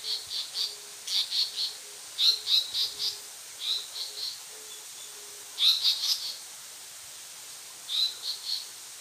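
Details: Male Japanese paradise flycatcher on Nojasan giving alarm calls: short, harsh, high notes in quick bursts of three to five, repeated every second or two, over a faint low steady tone.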